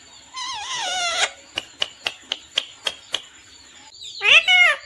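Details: Parrot gives a long wavering harmonic call, then about eight evenly spaced sharp clicks, and ends with a loud rising squawk.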